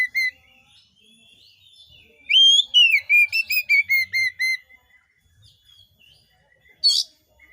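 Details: Oriental magpie-robin song played to spur other magpie-robins into song: a slurred whistle, then a strong rising note and a quick series of descending whistles, closing with a single sharp burst.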